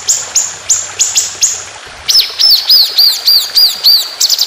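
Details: White-rumped shama song from a competition training track of long rapid 'tembakan' shots: five or six thin, very high whistled notes, then a quick row of arched, bouncing whistles about four per second.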